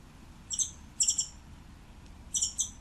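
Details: High, sharp chirping notes from a scimitar-billed woodcreeper, grouped in pairs, four pairs in under three seconds, clear above a quiet background.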